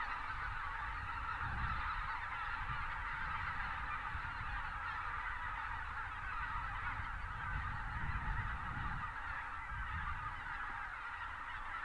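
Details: Thousands of Greater white-fronted geese wintering south of Uvalde, South Texas, while pelicans rise and join them; continuous overlapping honking, with bursts of low rumble near the start and around eight seconds.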